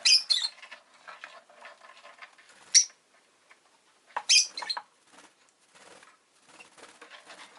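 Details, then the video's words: Shrill, harsh chirps from a pet rosy-faced lovebird come in short bursts at the start, then near three and four seconds, separated by quiet ticking and rustling patter. "Lovebird Chirping Sounds"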